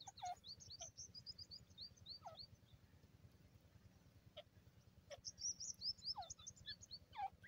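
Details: A grey francolin gives falling, rasping calls spaced through the recording, while small birds chip and twitter in rapid high series at the start and end, over constant low background noise.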